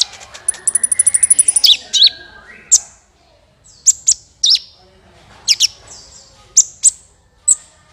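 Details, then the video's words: Sunbird lure call for trapping, known as kolibri ninja: a quick run of rapid high ticking notes, then spaced sharp high chips repeated roughly every half second to second. "SUARA PIKAT BURUNG KOLIBRI NINJA MANTAP SUARANYA JERNIH"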